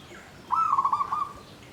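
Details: Caged zebra dove in a bamboo cage, singing in the Klabang Kapipit and Tumpang Sari style known as klarr kete kuk kuk. It gives one clear, rapidly pulsing low coo phrase of under a second, in near quiet.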